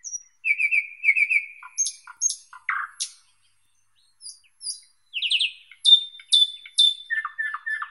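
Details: Song of the thrush nightingale, varied phrases of rapid repeated chirps, clicks and high pure whistles, separated by short pauses, ending in a series of descending tonal notes.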